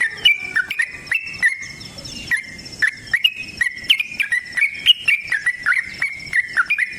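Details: Sooty-headed bulbul giving a long fighting song, used to prompt other bulbuls to sing: short, bright, slurred whistled notes, rising and falling, repeated in quick succession and mixed with sharp clicks.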